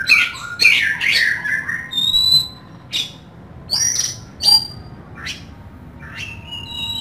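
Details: Kacer, the Oriental magpie-robin, singing in full voice with a rough-toned song: loud warbled bursts, then clear thin whistles and sharp downward notes separated by short pauses.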